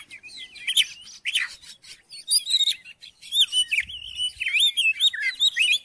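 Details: Oriental magpie-robin song used to stir a silent magpie-robin into singing, a fast run of clear whistled notes, sweeping slurs and brief rasping chatters, delivered almost without pause.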